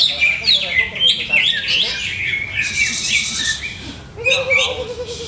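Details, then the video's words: Greater green leafbird in a cage, owner still adjusting its setup for competition, singing rapid chirps and downslurred whistles, then a short pause and a wavering lower warble near the end. "CUCAK HIJAU"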